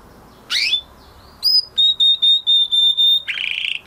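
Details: Male canary singing after the moulting period, a rising swept note, then a run of about seven level whistled pulses, ending in a buzzy burst.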